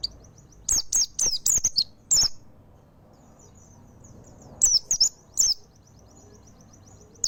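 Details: In nembak style, a mountain white-eye delivers two bursts of rapid, piercing high chirps with a silent gap of about two seconds between them. Faint high twittering continues in the background.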